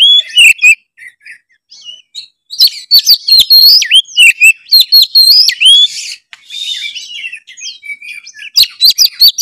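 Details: Gacor Oriental magpie-robin, its song used to provoke other magpie-robins into singing, pours out loud, varied whistled phrases, sharp up-and-down notes and scratchy chatter in dense bursts, with brief quieter gaps.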